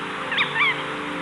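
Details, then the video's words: Rare Jerdon's courser, once thought extinct and last seen in 2008, in one of the only known recordings, made around 2001: two quick, high, whistled notes with a swooping up-and-down inflection, a quarter second apart, over faint steady hum and hiss. "What you just heard are the only known recordings of the Jordan's courser."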